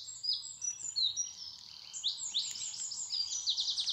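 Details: Songbirds singing in spring in England as the trees come into leaf; several high, overlapping twittering and trilling phrases run continuously, with quick sweeping notes and bright chirps and a faint low rumble beneath.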